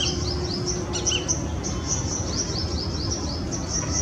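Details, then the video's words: Female Shikra perched and calling near its nest in Greater Noida, February 2017: short, sharp, high rising notes repeated several times a second over a steady background hiss. "Shikra - Accipiter badius (with call)"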